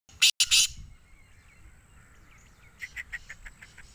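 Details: Black francolin in Sindh, Pakistan: a quick burst of two or three loud, harsh, grating notes at the start, then quieter, softer chirps from other birds over faint background noise.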